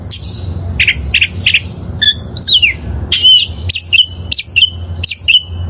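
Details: Vigorous song of a wild oriental magpie-robin, used to train caged birds: short burry chirps, then clear whistles sliding downward, ending in a run of crisp notes, each followed by a level whistled tail, with faint low background hum.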